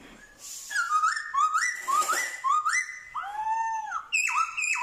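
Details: Trained Black-throated laughingthrush from Vietnam in its forest-style song with imitations of dogs, cats and chickens: a run of stepwise rising whistled notes climbing in pitch, then a long arched note and a high wavering phrase.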